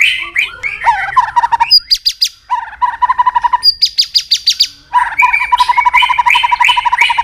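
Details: Competitive song of a White-rumped shama stirred up against rivals. The phrases vary widely: warbled notes, bursts of high sharp clicks, and fast runs of repeated chirps, sung loud and almost without pause.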